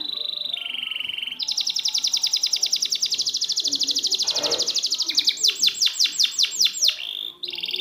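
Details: Canary training song for non-singing birds: held whistle, a long fast rolling trill lasting several seconds, then repeated curved slurs and a closing steady tone.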